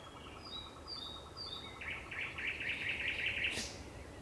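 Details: Sunset song of a thrush nightingale on 30 May 2021: soft high whistles, then a sustained fast rattling series of repeated notes ending in a sharp burst.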